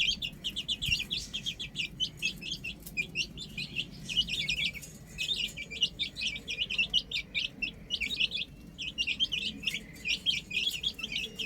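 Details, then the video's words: Several chicks playing up on a roof give rapid high cheeps in bursts, with a brief lull midway before the busy peeping resumes. "Adorable Chicks Chirping Sounds | Amazing Baby Hen Playing On Roof"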